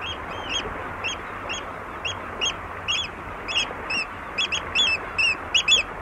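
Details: Oystercatcher at Walney, recorded close up giving various calls: loud, shrill piping notes repeated about twice a second, speeding into a rapid excited series toward the end, over a steady background hiss of lapping water.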